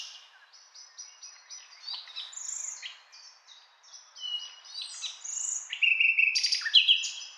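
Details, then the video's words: Common nightingale singing a fast, varied run of high whistled notes, short trills and sharp chirps, with phrases shifting abruptly in pitch and loudness growing toward the end; quiet background. "Beautiful Nightingale Singing"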